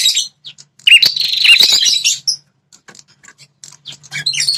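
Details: Red-headed prinia, a territorial fighting bird, calling to lure males into reacting: a brief high trill with chirping notes around the first two seconds, then scattered faint chirps and a low hum in the background.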